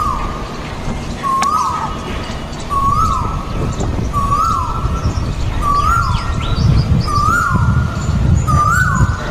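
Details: Two male Asian koels in a garden in India, singing and fighting, repeat a clear, rising 'ku-oo' whistle about every one and a half seconds, with another koel distant; low rumbling background and faint chirps of other birds.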